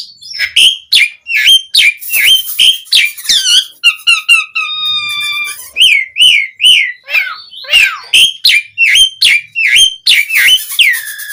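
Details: Asian pied starling in lively full song, used to lure other starlings into replying: a rapid varied run of sharp whistled notes, harmonic rising and falling phrases, buzzy bursts and repeated chirps, with no other sounds.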